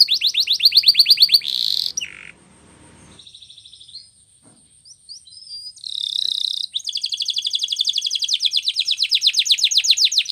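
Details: Canary training song: fast high trill, buzzy burst, a quieter gap with soft notes, then a long rapid trill of repeated strokes.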